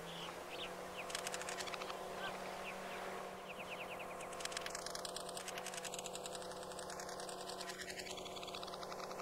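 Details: European stonechat female and male in autumn, Gulf of Morbihan, Brittany, 17 October 2021: dry, stone-like ticking clicks in quick bursts with thin rising whistles, over a steady low hum.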